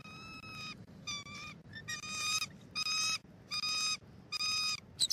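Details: Bald eagle pair at a Southwest Florida nest on December 1, 2023, the female incubating eggs after an owl struck the male at dawn. Six harsh, ringing calls are repeated at roughly one-second intervals over a steady low background rumble.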